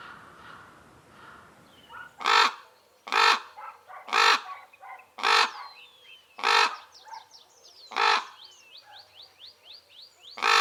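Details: Wild Common ravens in acacia woodland give loud, rough caws roughly once a second, about eight in all, while smaller birds chirp and trill thinly in the background.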